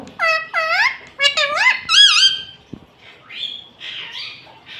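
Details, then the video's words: Pet ringneck parakeet trained to say Mummy, Papa and Mitthu: a quick sequence of rising-falling nasal syllables, about seven in two seconds, then softer, blurred, speech-like murmurs. "Mummy Papa Bolunga || Talking Parrot || Mitthu Mitthu"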